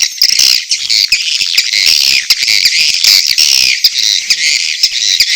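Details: Mating calls of edible-nest swiftlets with chick calls, a dense, shrill, buzzing chatter pulsing in rapid rattly bursts.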